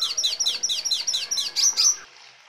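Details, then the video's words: Red siskin in rolling song: a steady series of about eleven quick, high, downslurred chirps, with two louder notes near the end before it stops. "Red Siskin Gacor Ngeroll Isian Gereja Kolibri Rambatan Kenari ❗️Canto Pintassilgo Venezuelano"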